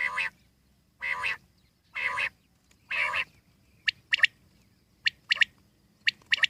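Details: Common quail in the wild: four drawn-out nasal, buzzy calls about a second apart, then quick clipped high notes in pairs and triplets.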